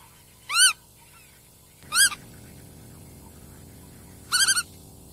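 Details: Black-tailed godwit calling: three loud separate calls, each a short nasal note with stacked overtones rising then falling, spaced irregularly over five seconds against a quiet background hum.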